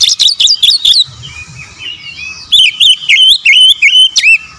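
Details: Magpie-robin singing a fast mix of sharp, high, clicking notes followed by a string of looping whistled phrases rising and falling, with a short quiet gap between the two parts.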